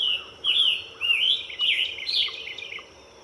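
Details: Scarlet tanager perched in a tree, giving loud, hoarse, slurred warbling phrases that rise and fall, four burry phrases in quick succession with brief gaps, over a soft steady background hum.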